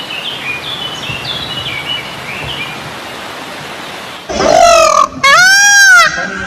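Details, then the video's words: Peafowl calling: after several seconds of faint, high twittering from other birds, two loud, nasal, strongly harmonic wails ring out in quick succession, each under a second long, the second arching up and down. "SUARA BURUNG MERAK TERINDAH"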